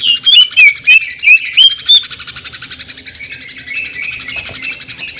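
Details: Greater green leafbird (cucak ijo) opens with a quick string of sharp rising whistles, then settles into a softer, even, fast-pulsed buzzing trill, the 'mesin jahit' sewing-machine style.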